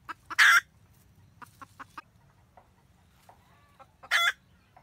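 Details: Wild red junglefowl hen guarding the nest and calling her mate, 2020-2021: a loud raspy cackle burst opens, followed by four short clucks and a second harsh burst near the end, with faint low hum throughout.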